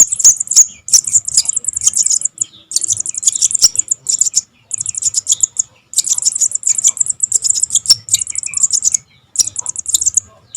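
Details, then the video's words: Javan cuckoo chick calls used as a lure for trapping birds: a dense, rapid chatter of very high, thin squeaky notes in bursts, with short pauses between runs. "SUARA ANAKAN BURUNG SOGON - SOGOK ONTONG"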